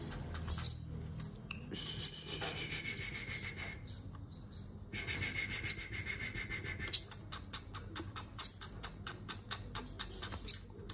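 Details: Sunbird in competitive singing, giving sharp, very high thin notes roughly every one and a half seconds, each a quick bright flick, between them a steady mid-pitched whine and soft clicking in the background.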